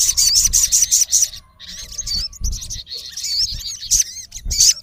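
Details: A male olive-backed sunbird challenges a rival in the wild with a rapid series of shrill, clipped chirps, a short gap, then more high wavering twitters and sharp squeaks.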